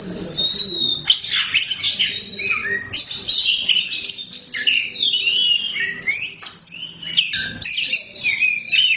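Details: Black-form Oriental magpie-robin (kacer hitam) singing boldly and continuously. A rich, fast medley of high whistles, sweeping slurs and buzzy chatters, with brief pauses near one and seven seconds.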